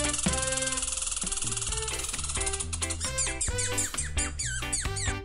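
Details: Bouncy instrumental music with a steady bass line and sweeping synthetic tones plays throughout, with no animal calls.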